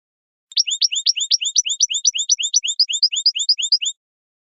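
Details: European goldfinch song, described as flawless, meant for teaching young birds to sing: a fast, even trill of paired high sweeping notes repeated steadily for about three and a half seconds, with no other sounds.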